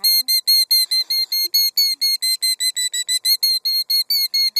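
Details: A female Killdeer guarding her gravel nest of two eggs fusses at an approaching driver, also feigning injury: a rapid string of loud, shrill, piercing notes, about two per second, sharply clipped and strident, with a faint human voice underneath.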